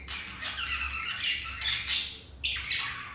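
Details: Budgerigars during mating; dense scratchy chatter with shrill squeaks, a short pause, then a renewed burst of harsh warbling, low hum beneath.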